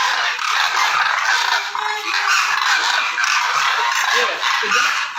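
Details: Koonj, or demoiselle crane, heard during migration as a crowded chorus of harsh rolling calls, many birds overlapping continuously, with a few lower honking notes standing out near the end.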